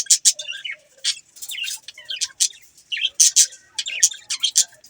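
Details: Several budgies chatter in short, sharp bursts of high, buzzy chirps and clicks, separated by brief pauses, with softer warbling notes in between.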